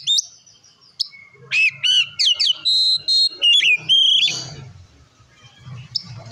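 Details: Oriental magpie-robin ngeplong song, used to provoke other magpie-robins: a series of loud, clear whistled notes, several steady and others swooping, about every third of a second, then a scratchy burst. Low noise and knocks follow.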